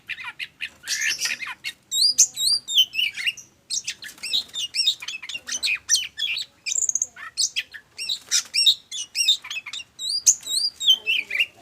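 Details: Oriental magpie-robin (kacer) performing ngobra hot-cold singing to prompt other birds to sing: long, energetic sequence mixing rapid chattering with looping, wavering whistles, nearly unbroken, loud and close.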